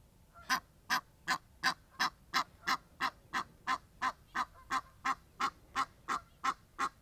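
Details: Egyptian geese outdoors, friendly birds seen displaying stretched wings: a loud, steady series of harsh, rasping honks repeated about three times per second, some twenty calls in a row, with quiet background.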